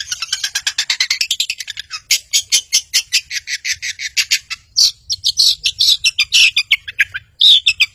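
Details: Long-tailed shrike singing vigorously, kept as a provoker bird to stir silent birds into song: a dense buzzy rising chatter for two seconds, then rapid harsh scratchy notes repeated several times per second.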